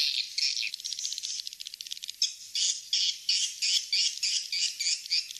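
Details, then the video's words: Swiftlet lure call ("kings star" type): dry, buzzy, high-pitched chittering bursts, several every second, in a steady pulsing stream with brief gaps between phrases. "suara panggil walet"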